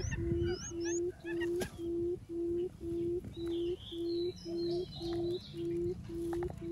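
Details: Decoy quail calling to attract other quails, a standard 'cút um' call: low, hollow hoots in a steady series, about two per second, very even. Faint high chirps from other birds sound in the background.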